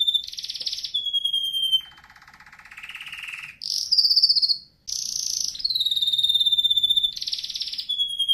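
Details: Canary training song: clear sustained whistled notes alternating with dense buzzy bursts, a slow low rolling passage in the middle, then a long even trill ending in another buzzy phrase.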